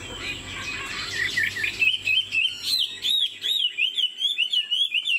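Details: Purebred caged Chinese Hwamei songbird: a jumbled warbling start gives way to a string of clear looping whistled notes, each a quick rising-falling slur repeated about three times per second.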